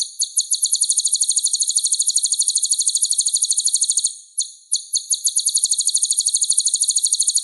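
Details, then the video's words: Sunbird singing vigorously for training other songbirds: a continuous, very high, rapid ticking trill that runs for seconds, broken only by one brief pause. "MASTERAN SPESIAL KOLIBRI GACOR"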